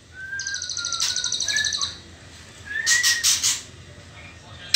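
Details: White-rumped shama youngster in the trotol stage before pastol: a high, rapid rattling chatter over a few clear, level whistles, then a short gap, a rising whistle and harsh noisy bursts.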